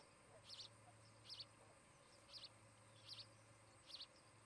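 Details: Osprey pair at a nest near Charlo, Montana, filmed by nest camera on 17 August 2018; five short, high, sharp chirped calls, each a quick double note, spaced roughly every 0.8 seconds over faint steady background hum.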